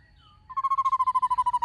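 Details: Black-throated laughingthrush singing in many voices with a calling female: a steady mid-pitched note broken into fast even pulses, roughly a dozen per second, after a short faint whistled lead-in.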